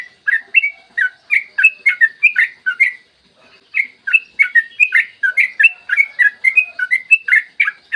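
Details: Yellow-vented bulbul in long, rapid 'ropel' song used as a lure to get other bulbuls singing, recorded in the morning: bubbly chirped notes in quick runs, each about a third of a second apart, with a brief pause midway.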